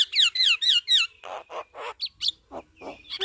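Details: Javan myna chattering song used as a master recording for training other birds: four quick falling whistled notes, then a run of harsh, buzzy rasping bursts and short sharp squeaks.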